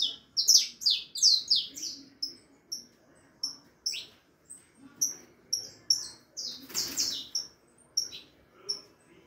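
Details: Four-and-a-half-month-old harlequin saffron finch singing a great deal: opening cluster of loud high chirps, then spaced sharp notes about every half second, with a brief broadband rustle midway.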